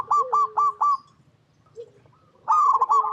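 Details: Local perkutut, the Zebra dove: four evenly spaced loud coo notes, a lower softer note in a short gap, then a loud quick burst of bubbling coos.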